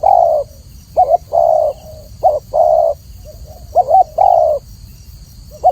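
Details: Clear spotted dove cooing for a training recording: repeated low phrases of a short trembling note and a longer steady coo, with soft trailing notes between the phrases.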